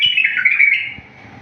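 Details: Wild-style bulbul song for training other bulbuls, clear and error-free: a fluty, rolling whistled phrase dipping and rising for nearly a second, with a faint click near its end before quiet returns.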